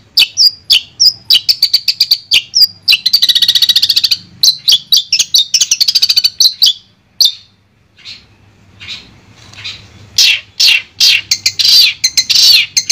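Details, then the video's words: Long-tailed shrike, Madura type, from a clear master recording: rapid high chirped notes, a brief buzzy rattle, then a short quiet gap before louder rasping notes resume. "Suara Jernih Masteran Burung Cendet Madura"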